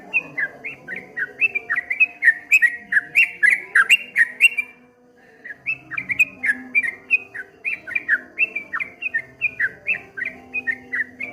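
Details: Streak-eared bulbul in 'ropel ngombak banyu' style pours out quick warbled chirps, pauses briefly near the middle, then resumes the same rolling series. A low steady hum sits underneath.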